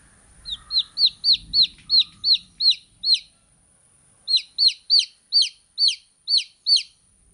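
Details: Baby chick peeping steadily, loud high down-slurred notes about three per second in two runs of around nine, parted by a short silence.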